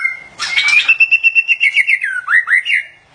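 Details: White-rumped shama (murai batu) during mating: a rapid series of clear, pulsed whistled notes that slide downward, followed by short rising slurred whistles.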